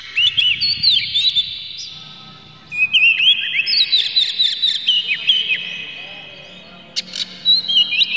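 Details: Provocation song of Oriental magpie-robin, clear and harsh, for stirring birds to sing; looping whistled phrases with down-slurred and hooked notes and sharp ticks, two long bursts split by a quiet gap.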